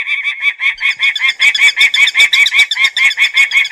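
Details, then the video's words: Peregrine falcon producing a rapid, insistent chain of short, harsh cackles, evenly paced at more than two per second with no pauses. "صوت صقر الشاهين"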